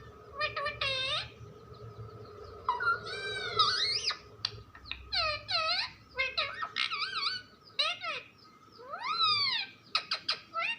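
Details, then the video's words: Indoor talking parrot producing a long varied stream of looping, arching harmonic phrases and squeaky sweeps, some strung close together, others spaced by brief gaps, over a faint room hum. "Funny parrot talking video | mitthu videos | mittu ki awaaz"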